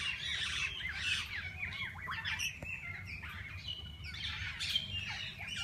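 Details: Mixed parakeets calling in a walk-in aviary at a parrot park; busy flock chatter of short chirps and warbled notes rising and falling, many birds at once over a constant low background rumble.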